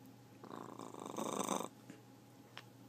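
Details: Pet talking macaw growling: a rough, pulsing, low buzzy rasp that builds for about a second and ends abruptly, followed by faint soft clicks in a quiet indoor room.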